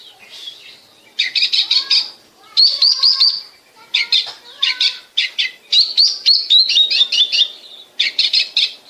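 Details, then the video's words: Oriental magpie-robin song used as a lure to stimulate other birds to sing, Bekasi: bursts of rapid, high chattering and trilled notes, separated by short pauses, with a few lower whistled slides. "pancingan suara kacer"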